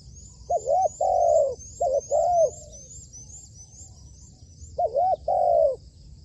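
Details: Trained decoy spotted dove from Cambodian dove trapping giving repeated hollow coo phrases, each a short rising-falling note then a longer drawn-out coo, repeated about every two seconds, with a steady high-pitched insect-like trill above throughout.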